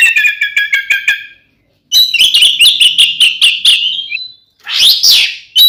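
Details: Oriental magpie-robin fighting song, meant to provoke other magpie-robins into emotion, in a lively trained style: rapid repeated bright chips, a string of loud whistled notes, then a sweeping harsh phrase after a short pause.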